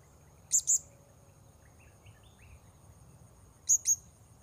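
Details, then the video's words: Blue-crowned hanging parrot calling while wild birds are lured at a new spot: two pairs of piercing high notes about three seconds apart, with a few fainter, lower chirps between them. "Memikat Serindit"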